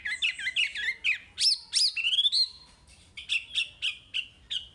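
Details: Chinese hwamei song played to train caged birds: varied loud whistled phrases with sweeping slurs, then a steady series of sharp repeated notes roughly every half second.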